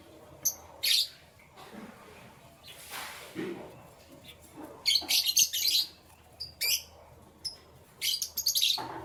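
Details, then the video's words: Canary in the morning with loud high chirping bursts and brisk trilled runs, mixed with occasional rustling and clicks. "Canary Chirping Sounds"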